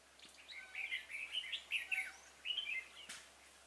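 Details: Red-whiskered bulbul used in trapping on 26 February 2018, a decoy singing to lure wild birds: short bursts of bright warbled, whistled notes in quick phrases, pausing briefly between them, with a faint background hiss.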